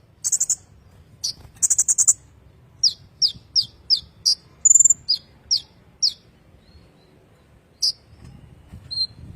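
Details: Kolibri ninja, a sunbird, in rolling song used for tutoring magpie-robins: piercing high chirps, brief rattling bursts and one clear whistled note, delivered in an irregular run before a short pause and a few final notes.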